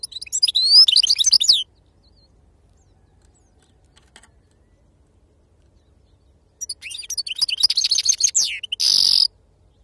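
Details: European goldfinch, authentic khalwi sarfati song style: an opening burst of crowded high twittering, several seconds of near silence, then renewed rapid chirps closing with a steady buzzy trill.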